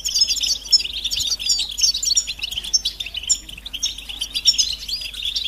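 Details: Massed European goldfinch calls, described as mating and readiness calls that stimulate males to sing: continuous high tinkling twitter, many quick metallic notes layered over one another, with a faint hiss behind.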